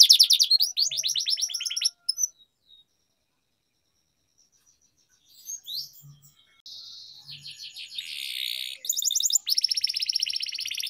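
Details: A lively canary sings long rolls as tutor song for young birds: a rapid rolled trill opens, a quiet pause follows, then faint notes build into a buzzy rattle and a bright fast trill.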